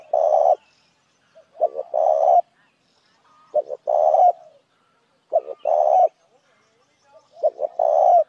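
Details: Spotted dove call used to attract other doves, repeated steadily: short double notes leading into a long harsh buzzy coo, five phrases roughly every one and a half to two seconds, with soft quiet coos in the gaps.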